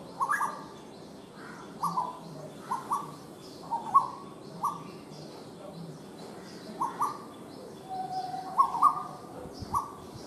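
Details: Asian koel calling: a series of short, clear notes near the same mid pitch, some opening with a brief upward sweep, given roughly once every second over ten seconds against a soft, steady background hiss.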